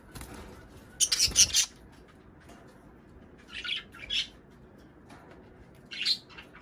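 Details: Budgerigar calls for encouraging breeding; a loud raspy cluster of squawks around the first second and a half, followed by softer, scattered chirps separated by long gaps.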